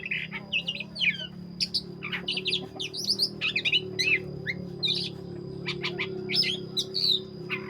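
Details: Black-breasted Oriental magpie-robin in full song: a busy run of varied whistled notes and quick slurred phrases, some rising and some falling, with short gaps and a steady faint tone in the background.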